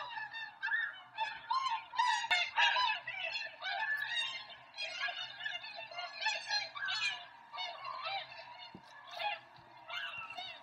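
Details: A flock of tundra swans at Rosedale and Munson near Drumheller, Alberta, Canada, gives a continuous overlapping chorus of nasal, yelping, high-pitched whoops and honks, several calls every second, over a faint low hum.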